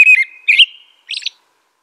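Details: Two loud, slurred American robin whistles, followed by a softer, squeaky, high-pitched phrase. Nothing else is heard.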